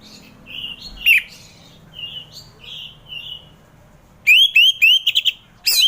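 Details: Orange-headed thrush song used to coax lazy caged thrushes in the morning; soft thin whistles and a sharp note, then a loud rapid series of rising slurred whistles repeated several times.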